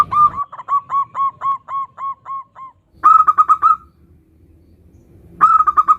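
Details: Zebra dove, a local bird, in "nutut" song used to lure others into singing: a steady string of about ten evenly spaced cooing notes, then two shorter, brighter bursts of rapid trilled coos separated by quiet.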